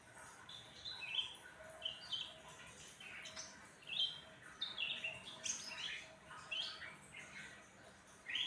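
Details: Black-headed bulbul in full, frequent song after being given crickets and put out in the sun: a long run of quick, bubbly, high whistled notes, one every half-second or so, with a soft hum behind.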